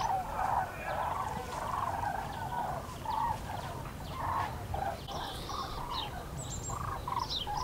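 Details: Common cranes calling in flight over the Eifel, Germany, 6 March 2018: repeated loud, rolling bugles from many birds, overlapping in bursts about every half second.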